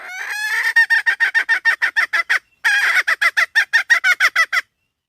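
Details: A hen begins with a long, wavering nasal note, then gives rapid harsh clucks about three per second. They break off briefly midway, resume at the same pace, then stop.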